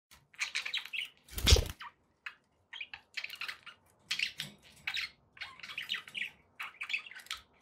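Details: Pet budgerigars chattering in short scratchy chirps and warbles, broken by brief pauses, with one loud thump-like burst partway through.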